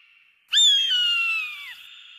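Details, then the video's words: Eagle giving a single loud, clear whistled scream that starts abruptly, holds a high, slightly falling tone for about a second, then drops sharply at the end, with a faint high hiss before and after. "Âm thanh đại bàng || The sound and picture of the Eagle"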